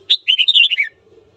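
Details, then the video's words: A single short burst of red-whiskered bulbul morning song, sung to stir up fighting: a sharp high note, then a chain of rapid rising and falling warbled notes ending lower. "Luyện giọng chào mào hót sáng kích bổi đấu"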